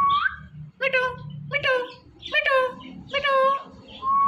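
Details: Talking Indian ringneck parakeet saying "Mitthu": a steady series of short, voiced, speech-like syllables, about one a second, each sharp at the start, over a low background hum.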